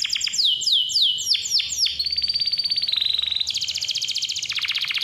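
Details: Canary song used as a lure to get young or quiet canaries singing: clear, high downward-sweeping whistles repeated rapidly, then a steady high whistle and fast buzzy rolling trills.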